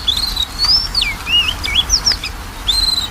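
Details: Lure recording of magpie-robin song meant to stir a reluctant singer into voice: looping, swooping whistles that rise and fall, run together in a flowing phrase, then a final high note after a pause.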